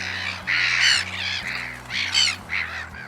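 Black-headed Gull giving harsh, raspy screeching calls, four quick bursts in three seconds, over a soft low musical drone.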